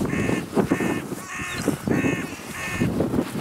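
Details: Carrion crows, among usually 60-80 that fly over to greet the person feeding them at a clifftop site, with feral pigeons joining in. One caws five times in quick succession, harsh and nasal, about every half second, over low rumble and possible pigeon coos.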